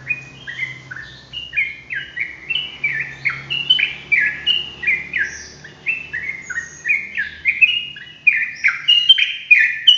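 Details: Sooty-headed bulbul in continuous rolling song: a steady string of rich whistled and slurred notes roughly three per second, rising and falling in pitch, growing busier and higher near the end, over a faint low hum.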